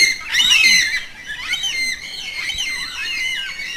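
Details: Yellow-tailed black cockatoo with loud, harsh-edged wailing cries. A strong opening burst is followed by softer, sliding, overlapping notes, with quiet hiss underneath.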